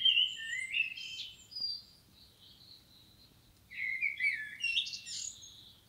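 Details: Common blackbird, one of a pair filmed in nature: a squeaky, warbling twitter, then a pause, then a second, denser burst of high chattering notes, with a low faint background hum.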